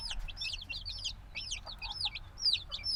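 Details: Several black baby chickens only days old peep loudly and continuously, thin high calls that rise then fall, crowded together with little pause, plus a soft low hum underneath.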